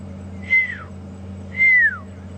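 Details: A pearl-spotted owlet at Djuma Game Reserve, South Africa, on an afternoon of 15 February 2015 gives two clear, drawn-out downslurred whistles about a second apart, over a faint engine-like hum.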